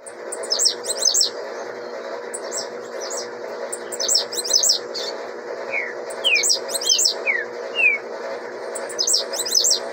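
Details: Young blue-black grassquit singing at a stated rate of 26 songs per minute: bursts of very high, thin, buzzy downslurred notes every one to two seconds, with a few lower slurred whistles, over a steady low hum.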